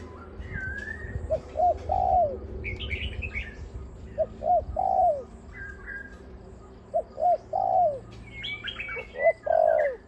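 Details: Spotted dove decoy with a big voice, giving repeated phrases of two clipped low notes and a longer downward-sliding coo. Other birds whistle and chatter loudly around it, with a low rumble underneath.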